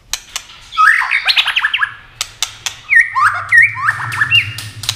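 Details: Fast competition singing from a white-rumped shama that flashes its wings and plays its tail: a scratchy chattering run, then repeated clear looping whistles, over a low steady hum and occasional clicks.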